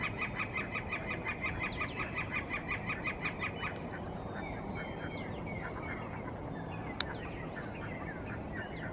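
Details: Territorial call of a male Northern flicker claiming a breeding territory in spring from the highest point of a tree: a loud, even run of sharp notes, roughly five per second, for nearly four seconds, then stops; faint small-bird chirps and one sharp click follow.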